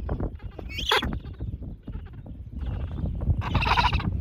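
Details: Gentoo Penguin at a colony on Pebble Island, Falklands, in 2024, where most birds are chicks; two short, harsh, broadband braying bursts, one near the start and a louder, longer one at the end, over a steady low rumble.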